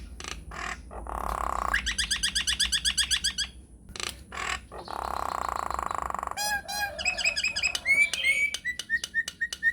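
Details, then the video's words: Nias hill myna in long rolling song: nasal honking bursts alternate with fast pulsed trills of harsh, buzzy notes, then a jumble of squeaky, whistled and clicking calls repeated several times a second. "JALAK NIAS GACOR NGEROLL PANJANG"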